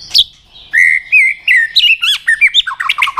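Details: White-rumped shama stirred into fight-singing; a sharp opening note, then sustained clear whistles that slide up and down, followed by a quick string of bouncing, chirpy notes.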